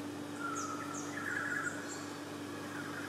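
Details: Brolga, a large grey crane of northern Queensland and Australia's only native resident crane, very vocal, giving drawn-out, somewhat faint trumpeting notes with a rough, bugling edge over a steady low hum.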